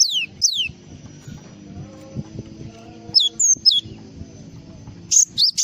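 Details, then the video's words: Java sparrow giving two descending high whistles, a stretch of low background murmur, then short clipped high notes and a few bright chirps at the end. "SUARA BURUNG GLATIK FULL ISIAN"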